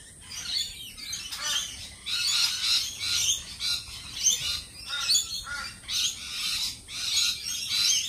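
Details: Lorikeets at a cafe keep up a steady stream of shrill, buzzy screeches, harsh bursts following one another with little pause.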